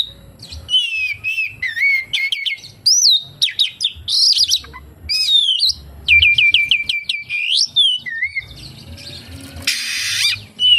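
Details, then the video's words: Oriental magpie-robin singing a song full of kapas tembak imitations: varied clear whistles, slurred rising and falling notes and rapid repeated chirp series, then a harsh rattling burst near the end. "SUARA BURUNG KACER, FULL ISIAN KAPASTEMBAK"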